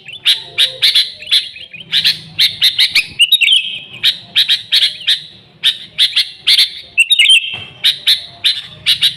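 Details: Original Sooty-headed bulbul recording, free of other birds, used as a bulbul lure. Bursts of sharp chirps are separated by short slurred whistles, in a steady, agitated rhythm.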